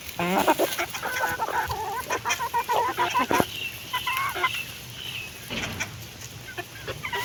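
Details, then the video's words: Hen clucking while eating, with a run of harmonic, wavering clucks in the first three seconds, then quieter clucks and pecking clicks. "Hen sound effect ❤️💕🐥🐔|hen eating food"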